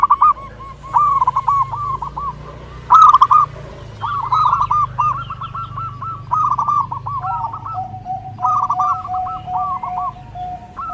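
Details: Zebra dove singing, used for training and luring other zebra doves: rapid runs of bubbly cooing notes in separate phrases, with one loud burst near the start, over a faint continuous low hum.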